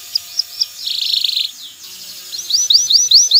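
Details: Male canary singing to stimulate a female to mate and build a nest: sparse high chirps, then a fast buzzy trill, a pause, and a run of rising whistled notes repeated quickly.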